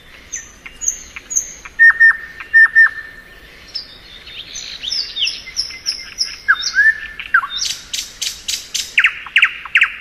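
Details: Thrush nightingale in spring song: high thin whistles, clipped steady notes, a varied twittering passage with slurred phrases, ending in loud rapid rattling strokes and falling chirps.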